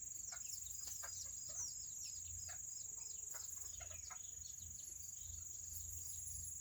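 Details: Tiny Serama chickens on a rainy Saturday give soft, short clucks mixed with thin, high, downward-sliding chirps, over steady rain patter and a constant high-pitched whine.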